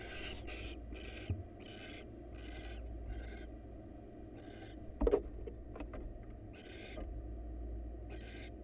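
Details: Wild barn owl nest box, male bringing his mate a mouse for dinner: a string of short, harsh screeches spaced about half a second apart, broken by a few knocks and bumps mid-way, over low hum.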